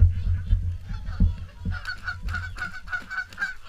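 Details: During the morning feed at WWT Caerlaverock, a low rumble fills the first half, then a dense run of short, repeated swan honks builds from a gathered flock.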